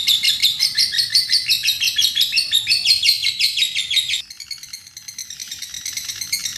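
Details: Champion lovebird giving its long 'ngekek' song, used as a master recording for training young birds: rapid, high, shrill chattering notes repeated about three times a second in an unbroken run, then softer, quicker chatter.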